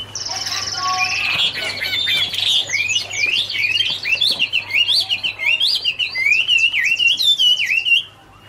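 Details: Chinese hwamei (Garrulax canorus) autumn song: opens with a high, steady buzzy whistle, then breaks into a lively sequence of looping, up-and-down whistled notes repeated rapidly until an abrupt stop.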